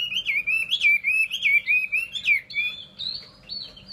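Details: Chinese hwamei in song: a loud, rich run of warbled whistles sliding up and down, with quick repeated notes, ending in higher sustained whistled phrases.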